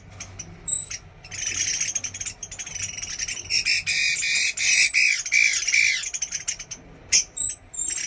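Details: Chinese hwamei in a bird trial, singing loud harsh, squawky bursts broken by short gaps, with a few clear whistled notes mixed between the rough phrases.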